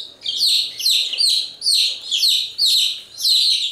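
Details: Chicks giving continuous chirping: rapid high, bright peeps in dense overlapping bursts, roughly two per second, each a short falling whistle, with no other sounds.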